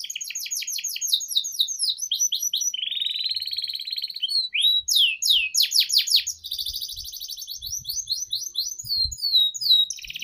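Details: Canary lure song for training young birds: a long, high, fast song of rapid trills, buzzy rolls and sweeping whistled notes, changing from one trill to the next without pause, with faint low knocks beneath.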